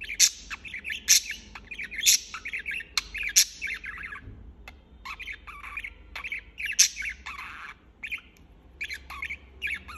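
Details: Continuous budgerigar chirping, with dense bursts of warbled, squeaky notes and sharp clicks, a short lull near the middle, then more chattering runs.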